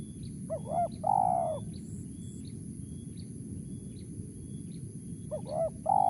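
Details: Wild spotted dove giving a crisp 'mersik' call: two low, hollow cooing phrases, each of two short rising-falling notes and then a longer drawn-out coo, about four seconds apart, over steady low rumbling background noise.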